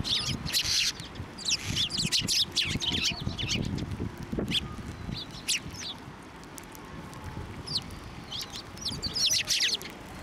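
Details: A flock of sparrows at a Tenmangu shrine crowding onto an outstretched hand to be fed in March 2024, with clustered chirping bursts early and late, a quieter gap midway, and low handling noise.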